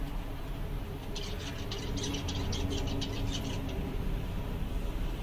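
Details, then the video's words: Seven contented zebra finches on a summer day: a rapid run of about a dozen short, bright, clipped calls fills the middle seconds. A steady low drone and a faint tone run underneath. "Zebras finch/mandarins diamante, todos contentes!"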